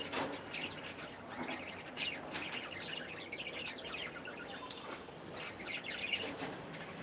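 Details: Cockatiels during breeding, with chicks expected soon, give a dense chorus of short, high chirping calls that overlap throughout, with occasional louder sharp notes and soft wing flutters.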